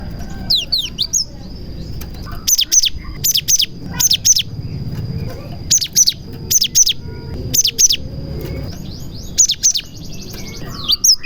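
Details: Cinereous tit (gelatik batu) singing a song with prinia imitations, used to lure other tits into singing; sharp downslurred notes, then loud clipped high chirps in bursts of two or three roughly every half second, over a steady thin whine.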